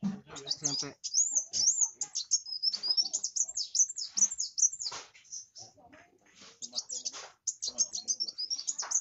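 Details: Kolibri wulung (Van Hasselt's sunbird) chattering vigorously: long bursts of very high, thin, rapid squeaky notes, with a man speaking at the start and quieter talking at times beneath.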